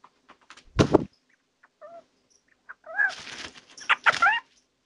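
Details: Two territorial male little owls fighting: a loud scuffling burst early on, then harsh, rising-and-falling screeches in short bursts over the last seconds.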